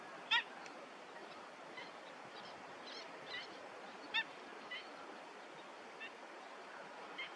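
Black-headed gull giving two loud, harsh, nasal calls about four seconds apart, with fainter calls from other gulls and a steady rushing background.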